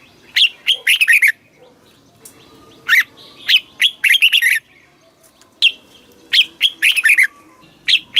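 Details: Red-whiskered bulbul song in the southern master style, used in Thailand to excite caged birds and teach young ones: several short phrases of loud whistled, warbling notes, each phrase ending in a quick cluster, with pauses between.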